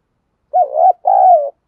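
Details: Decoy cooing of a spotted dove, local field-voice style, meant to excite and train wild-caught doves for fighting. Two throaty coos back to back, the first rising then dipping, the second steadier and slightly falling.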